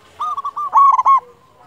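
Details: Loud-voiced local zebra dove song of the kind played as a lure to prompt other doves to sing. One short phrase of about seven quick, rolling coo notes, with the last few louder.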